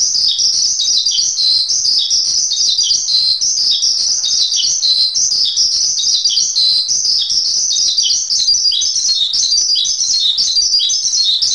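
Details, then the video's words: Continuous high twittering from a Javan pied starling, used as masteran training song: rapid chirps and trills run without pause, and the level stays even from start to end. "Masteran Suara Jalak Suren"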